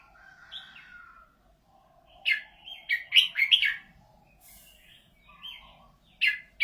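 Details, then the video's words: Cage-kept red-whiskered bulbul with a golden voice gives a burst of rapid, jumbled chirping notes mid-clip, framed by quieter scattered whistles and a faint background hum. "นกกรงหัวจุก เสียงทอง"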